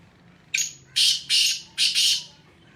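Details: Harsh, rasping call of a black francolin from Sindh: a short leading note, then four loud scratchy bursts in a pair-gap-pair rhythm over about a second and a half, against a quiet background.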